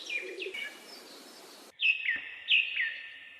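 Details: Bird chirping in short, high, downslurred notes, a pair of faint ones followed by two brighter chirps about a second apart, each dropping sharply in pitch, with soft background hiss.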